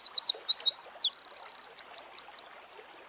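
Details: Tail end of a Eurasian wren's song: quick piercing notes, a swooping slur, a fast buzzing trill lasting about half a second, then a rapid series of sharp chips before quiet.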